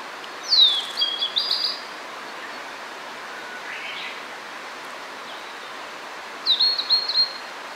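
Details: Blue-and-white flycatcher, a summer visitor newly arrived in spring, singing at Hakone, Japan: two clear whistled phrases, each sliding downward and ending in a short, rough trill, about six seconds apart over a steady background hiss.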